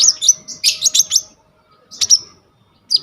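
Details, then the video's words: Brown-throated sunbird (konin) in gacor 'full isian' song for masteran training, recorded on a vivo y21 phone: two short bursts of very high, buzzy chirping twitters separated by a second of silence, then a single sharp note. "KONIN GEACOR FULL ISIAN 99% COCOK BUAT MASTERAN KOLIBRI NINJA TROTOL/IJOAN"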